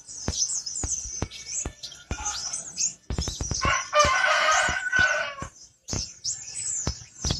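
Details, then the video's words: Black-winged flycatcher-shrike in its original voice: thin, high chirps and short warbled notes with sharp clicks, broken by a burst of broad rushing noise in the middle. "pentis kumbang,suara asli"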